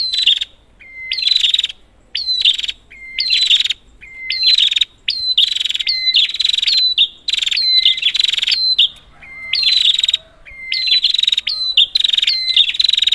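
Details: Prinia, used as a lure to stir silent prinias. Long run of regularly spaced, harsh, high rattling phrases, each starting with a quick rising note. A short flat whistle is tucked between many phrases. Roughly one phrase per second.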